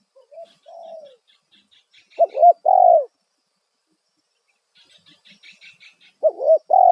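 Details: Loud spotted dove lure call, kuk satu type, aimed at drawing wild doves. A quiet falling coo comes first, then paired phrases of a quavering double note and a full hoot. Thin high chirping runs in between.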